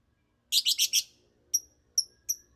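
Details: Singing lovebird: four fast, harsh, raspy chirps in a quick burst, then after a pause several separate sharp, thin, high whistled notes spaced about half a second apart, against a quiet background.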